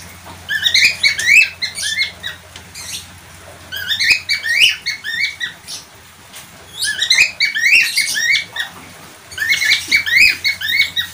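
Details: A budgerigar's chirping: rapid strings of squeaky, curling notes delivered in four bursts, each about a second long, with brief quiet spells between and a soft hum behind.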